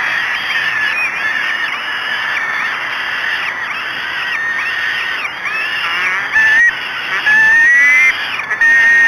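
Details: Falcons at the Great Spirit Bluff nest during the chicks' first feeding at dawn, 05:56 on 24 May 2016; harsh, arching squeals repeat in a rapid series, with sharper whistled notes near the end over a steady hiss.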